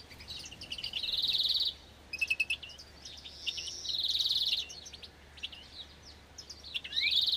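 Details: A European greenfinch of the agate variety, bred in an aviary in 2024, sings in rapid, high twittering trills, three rolling bursts each about a second long, joined by scattered chirps and short buzzy notes.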